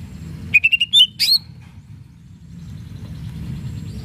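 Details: Greater green leafbird, song aimed at goading rivals: a rapid run of four short whistled notes rising in pitch, ending in two sharp, higher slurred whistles, then low rumbling background.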